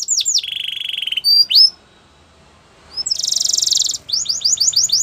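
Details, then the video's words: Canary singing varied phrases: a sustained lower buzzy trill, a brief pause, a higher rapid buzzing roll, then quick downslurred notes. "All the canaries will sing along after hearing this canary chirp"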